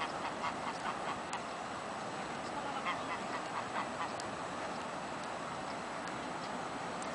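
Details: Free-roaming ducks outdoors on the river beach of the Pisuerga at Valladolid, Spain; short nasal quacks come in loose bursts, several per second at times, over steady broadband background noise.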